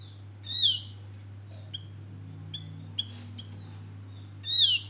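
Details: A Javan grey-throated white-eye, used as a lure song, gives two loud, high, wavering whistled phrases that open and close the passage, with a few soft high chips between them over a low electrical hum.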